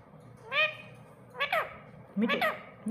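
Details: Pet parrot talking in the morning-free home setting, producing three nasal, harmonic, speech-like phrases about a second apart, each sliding downward like spoken syllables, with a faint low room hum beneath.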